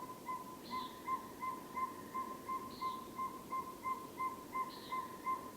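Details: A Northern Saw-whet Owl toots steadily, nearly three mellow even notes a second, at night by Dyke Marsh, Virginia, with buzzy higher notes about every two seconds, likely Common Nighthawk peents, which also gives wing booms there, plus frogs.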